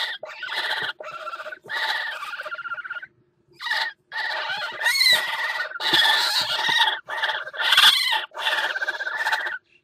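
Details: At a water-tower nest in Axel on 5 February 2018, a mating northern goshawk gives a near-continuous series of loud, rasping, wailing calls, each about a second long, separated by only brief pauses.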